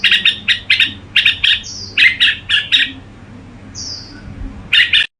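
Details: Red-whiskered bulbul kept as a pet, singing in the gù style: bursts of chattering notes, then two drawn-out, high, thin whistles separated by a quiet gap. A final short chatter burst ends the passage.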